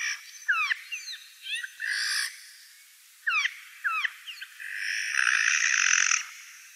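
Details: Eurasian jay calling during the day: short curved chirping notes alternate with two loud, harsh, rasping screech bursts, one near the start and a longer one toward the end.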